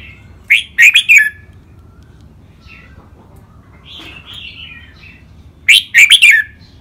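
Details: Red-whiskered bulbul song, trained rik, double and lakwai styles; loud clusters of three or four piercing whistled notes at the start and again about five seconds later, with soft rolling warbles in between.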